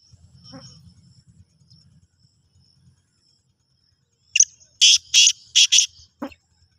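A black francolin gives a quick burst of four or five harsh, grating, high notes in under two seconds, after a quiet stretch with low rumbling background noise.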